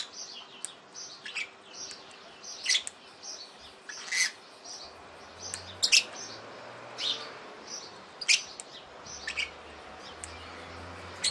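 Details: A visiting male Australian king parrot on 31 October 2008 gives shrill, sharp chips about once a second, mixed with softer high chirps and a faint low hum.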